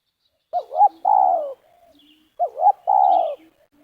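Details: Spotted dove used for trapping on the ground in Liwa, West Lampung, repeating its phrase twice about two seconds apart: two looping hoots, then a long, gently falling coo.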